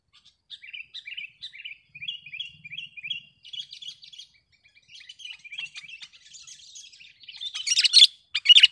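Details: Sooty-headed bulbul singing, recorded to train caged birds and draw in wild ones: a long string of quick twittering chirps, varied and uneven, building into louder harsh bursts toward the end.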